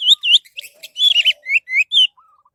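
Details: Lure recording of an orange-headed thrush, played to make other birds sing: rich, varied phrases of looping whistles and harsher slurred notes in quick succession, with a faint low wavering whistle at the end.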